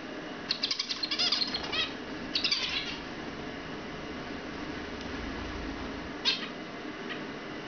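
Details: Young zebra finches about two months old, lively and curious, singing: quick bursts of buzzy, stacked nasal notes in two phrases early on, then a lone short burst later, with low room hum behind.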